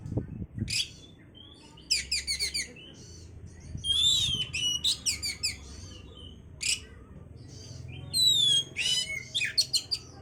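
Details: Oriental magpie-robin song played to bring on breeding condition: energetic bursts of repeated sharp chips, buzzy rasps and bright whistled slurs, over steady low background noise.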